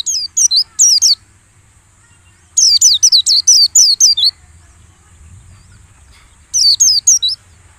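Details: White-eye song played as a lure for caged birds set out for morning dew-airing, to get them singing wildly. Three bursts of high, rapid twittering notes that zigzag up and down, with a quiet low hum underneath.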